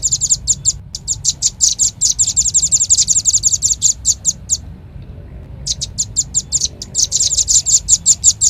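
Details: Red-billed leiothrix lure call: a fast chatter of very high, sharp chirp notes runs densely for about four and a half seconds. It stops for about a second, then starts again with the same rapid, bright series.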